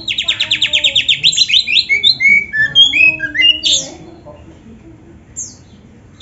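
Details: Oriental magpie-robin (kacer) in a training song, starting with a quick series of repeated upslurred notes, then varied sweet whistled phrases and buzzy notes, trailing off into quiet with a sudden loud note at the end.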